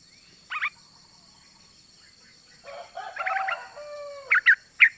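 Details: Yellow-vented Bulbul female calling the male: a sharp double chirp, a pause, then a bubbling cluster of notes with a lower drawn-out whistle, ending in three loud separate chirps.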